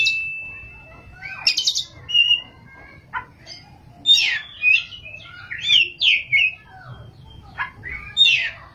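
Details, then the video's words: Oriental magpie-robin (kacer) in active ngerol and nembak song: a long level whistle opens a varied run of buzzy notes, slurred whistles and sharp chips spread irregularly through the phrase. "kacer gacor ngerol,nembak"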